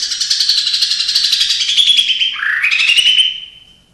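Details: Caged white-rumped shama singing an imitative song: a dense, fast chattering warble, then a lower rising whistled slur that levels off and fades.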